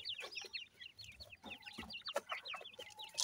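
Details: Grey francolin chicks (Pakistani teetar) in a brief burst of dense, high, quickly falling peeps, with a faint steady tone and a few clicks.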